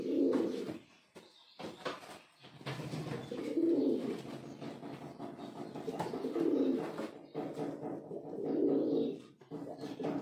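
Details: Male pigeon, a Rampuri breed, calling: low, rolling coos repeated about every two to three seconds, with soft background noise between phrases.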